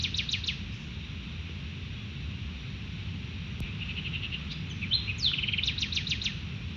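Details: Collared aracaris at a fruit feeder at Canopy Lodge, Panama, on an evening of 21 March 2018, after displacing a gray-headed chachalaca, give sharp, high, squeaky notes in quick bursts at the start and near the end, over a steady low rumble.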